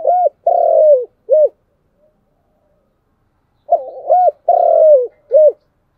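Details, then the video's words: Spotted dove cooing in the chiêu and thúc styles: two phrases of low hollow coos, each a short note, a long drawn note falling slightly, and a short closing note, separated by a pause of about two seconds. "Tiếng cu gáy chiêu và thúc hay"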